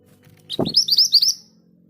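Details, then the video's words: A scarlet minivet, known locally as mantenan gunung, sings a quick run of around seven high, upward-sweeping whistles in the rolling ngerol manner, beginning together with a short knock, over a faint low hum. "Suara ngerol dengan speed yang pas. MANTENAN GACOR"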